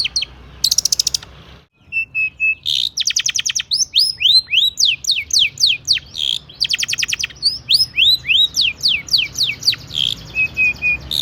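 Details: Lure song of a long-tailed shrike packed with imitated fill-ins to set other shrikes singing: harsh buzzy bursts, thin level piping notes and a dense, fast run of downslurred notes with little pause.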